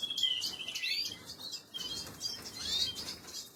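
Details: Canary chicks being fed by an adult, recorded 26 April 2022: dense high-pitched chirping and squeaky cheeping, with thin whistled slides and rapid buzzy bursts, rising and falling in waves, with faint wing flutter.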